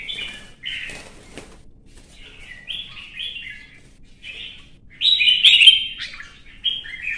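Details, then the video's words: Red-whiskered bulbul in competitive singing gives short bursts of chirpy, warbled phrases, some rising and falling, separated by brief pauses, with a louder burbling phrase near the end. "CHÀO MÀO | Kè kích chim hót đấu kích ché căng lửa"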